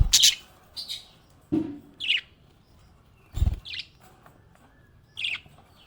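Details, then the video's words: A cheerful pet budgerigar gives short, high chirps spaced about a second apart. One opens with a harsh, buzzy burst, and the others rise as quick tweets. Dull thumps and taps from the cage sound between the calls. "Happy budgie chirping sound"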